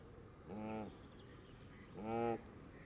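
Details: Canada geese surround a camera set in green grass at the water's edge as the flock feeds: two loud, rich nasal honks about a second and a half apart over a soft outdoor hum.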